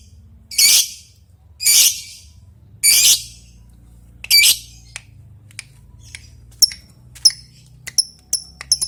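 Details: Lovebird calling an opponent with long ticking calls that lead into long chattering: four loud, harsh, high screeches about a second apart, then shorter, sharper chirps and ticks.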